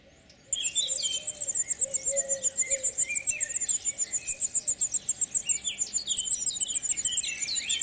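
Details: European serin singing its spring courtship song among olive branches, heard from early April: a fast, continuous, high-pitched jingling cascade of tinkling notes. Lower, slurred whistles from other birds run beneath it.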